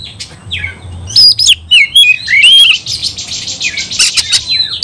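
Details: Oriental magpie-robin fighting song used to make other magpie-robins sing and fight: bright swooping whistles and wavering slurred phrases, followed by a drawn-out scratchy, buzzy passage.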